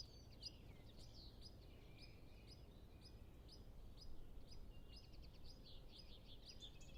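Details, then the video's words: High, sharp repeated notes of a nesting European pied flycatcher feeding its two young, coming roughly every half second against low background rumble, with distant birds also calling; captured with Zoom F6 and Sennheiser MKH 8040 microphones. "Pied Flycatcher Sound Library"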